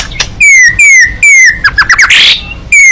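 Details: Fighting white-rumped shama singing with beak open: loud, clear whistles sliding downward, repeated about every third of a second, broken by a quick burst of rapid varied notes and a brief noisy rasp.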